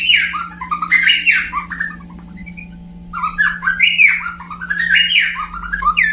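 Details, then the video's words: Olive-winged Bulbul, described as very tame, gives two bursts of bubbly, tumbling phrases of stepped, falling notes separated by a short pause, over a steady low electrical hum. "kicau burung cucak pantai"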